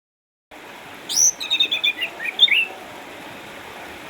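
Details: Caged Orange-headed thrush, eight years old, from Sukabumi, Indonesia, a former contest champion now kept at home because of cataracts yet still singing vigorously: a rising high whistle, then a quick run of bright chirping notes over steady background hiss.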